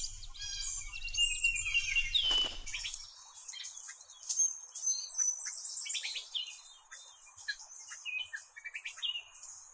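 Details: Gray catbird calling at a beaver pond in late spring, nesting season, from dense cover: a quick jumble of squeaky, chattering high notes without a steady rhythm, other birds joining, a low rumble in the first few seconds.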